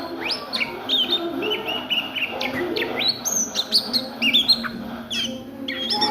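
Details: Oriental magpie-robin singing ngriwik style by day: lively run of high whistles, rising sweeps and quick repeated chirps, fairly continuous, above a soft low background hum.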